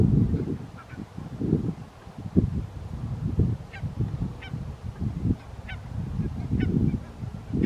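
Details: Wintering flock of Barnacle Geese at Ouddorp, South Holland, the Netherlands, 27 January 2023, with Eurasian Curlews feeding nearby: a steady run of short, low, gruff barking calls from many birds, some with faint sharper overtones, over a rumbling background.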